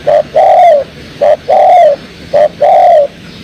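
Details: Spotted dove call used as a lure for trapping: mellow low coos in pairs, a short note followed by a longer drawn-out one, repeated three times at an even pace.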